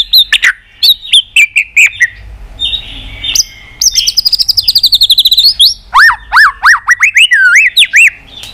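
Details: White-rumped shama in long, intense fighting song: varied looping whistles, a fast rattling trill of rapid repeated notes, then loud swooping whistled phrases that dip and rise, all clear against a quiet background.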